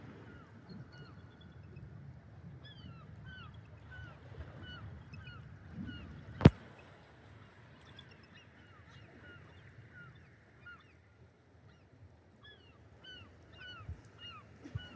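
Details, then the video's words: A flock of seagulls by the ocean at a beach keeps up their constant steady chatter of short, bent mewing notes over low surf and wind, with one sharp knock; two bald eagles perch nearby. "That constant sound you're hearing is the seagulls. They always make sounds like that all the time."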